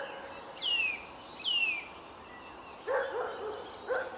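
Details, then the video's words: Male Eurasian nuthatch in Samara on 13 April 2019 sings near a feeding female he follows and watches over: two clear down-sliding whistles, then two short, harsher, lower calls over soft hiss. "Поползень поет рядом с самочкой"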